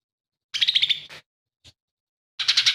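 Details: Lesser green leafbird singing energetically, with mimicked phrases of other birds in its song. Two short bursts of quick, scratchy, stuttering notes are heard, with a tiny click in the pause between them.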